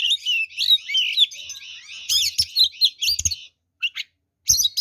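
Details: Aggressive oriental magpie-robin song for provoking rival birds: a run of bright warbled whistles, then choppy sharp notes and a short pause before more bursts.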